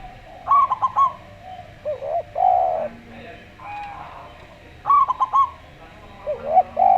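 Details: Slow song from a local zebra dove: rattling staccato notes then a drawn-out wavering coo, the phrase returning after about four seconds amid faint lower tones.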